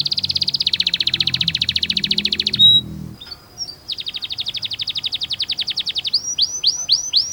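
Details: Canary singing a masteran for young birds: a long rapid buzzy trill, one sharp note and a short gap, another fast trill, then a few high down-slurred whistles.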